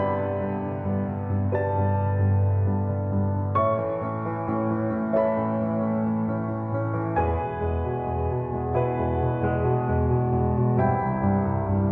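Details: Soft piano music with sustained chords changing every couple of seconds; no animal sounds are heard.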